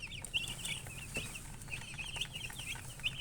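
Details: Baby chickens giving quick, high chirps, several louder piercing peeps among a busy flock chorus over low rumbling background noise.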